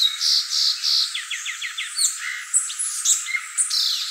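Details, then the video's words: Guriatã, the violaceous euphonia, gives three loud buzzy bursts, then a quick series of falling chips, followed by varied squeaks and nasal notes. "gaturamo verdadeiro | guriatã canto"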